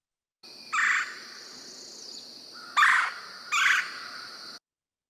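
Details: Red-bellied Woodpecker in Kentucky giving its rich song: three short, rolling, burry notes over about four seconds, the last two close together, above a faint steady high hiss.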